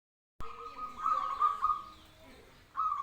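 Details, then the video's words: Zebra dove singing calmly, long even purring coo notes held steady at a mid pitch, stretched and repeated with short breaks, a new phrase starting near the end. "suara burung perkutut manggung ayem"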